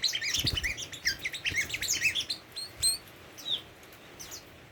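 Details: Tame Oriental magpie-robin singing a rapid jumble of high chirps and short whistled notes, busiest in the first three seconds, then sparser rising whistles with faint flutter-like thumps.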